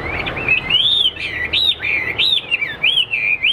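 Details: Caged Hwamei in fighting display, pouring out a continuous loud, fluid warble of looping whistled phrases that rise and fall without pause.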